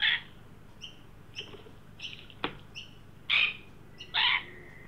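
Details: An adult and a juvenile Australian magpie visit a freshly set-out backyard birdbath in Sydney, 9 December 2023, amid a 43° Celsius heat wave; scattered rasping squawks, strongest near the end, with soft high two-note chirps and a sharp click between them.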